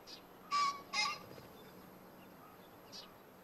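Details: Farmland in Hofu, Yamaguchi Prefecture, Japan, afternoon of 30 April 2019: a green pheasant gives two loud, hoarse, clipped crowing notes half a second apart, followed by fainter soft rustles over steady low background noise.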